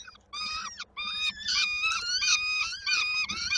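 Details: Peregrine falcon chicks at Koszalin, Poland, 19 May 2022, waiting for supper from their mother: drawn-out, nasal, evenly pitched wailing cries, repeated in a steady run, about one and a half per second.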